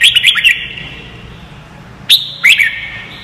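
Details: Red-whiskered bulbul singing for young white-cheeked birds to copy: a rapid run of clear whistled notes, then a two-second gap and a short rising-falling phrase, all carried on a strong reverberant tail.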